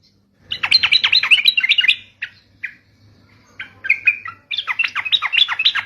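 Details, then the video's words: Sooty-headed bulbul song used to lure other bulbuls into answering: lively chortling phrases of quick, rising and falling whistled notes, a few isolated chirps in the middle, then another bubbly burst, over a faint hum. "PANCINGAN TRUCUK DIJAMIN LANGSUNG BUNYI"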